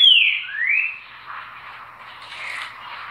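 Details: Green-winged saltator singing: a loud whistled note slurring downward, then a rising whistled slur, followed by a fainter, echoing warble.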